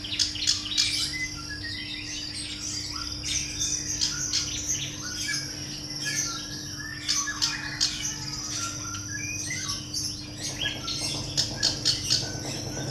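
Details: Calls of a female black-browed reed warbler: dense, high, squeaky chirps and clipped notes throughout. Quicker bursts come near the end against a faint constant hum.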